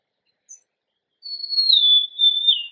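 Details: Golden-crowned sparrow singing a single plaintive whistled phrase that slides down in two or three steps from high to slightly lower pitch, preceded by a faint short high note; no other sounds.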